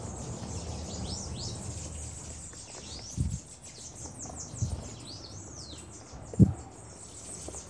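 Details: Several Bananaquits busy at a feeder trade very high, thin, curved notes, often overlapping, while occasional dull knocks and scuffles sound from the feeding spot.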